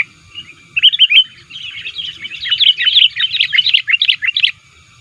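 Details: Sooty-headed bulbul lure recording of an active, rival-challenging bird: a few quick chirps, then a long, busy stream of rapid, scratchy chattering notes that stops abruptly.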